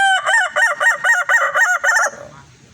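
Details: Evening crow of a red Kukuak balenggek rooster: a string of about eight quick, bouncing syllables, each stepping up and down in pitch, delivered in steady rhythm before fading away.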